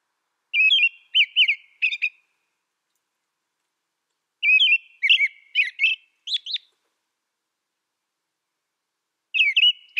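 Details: Repeated phrases of American robin song, clear liquid whistled notes grouped in bursts of three to six, each burst roughly two seconds long with long silent gaps.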